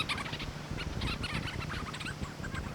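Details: Leach's storm petrels calling at night on Saddle Rock Island, Oregon, returning from offshore foraging to feed nesting chicks. Many birds call at once in a dense, overlapping chatter of rapid, choppy notes, with low rumbling background noise.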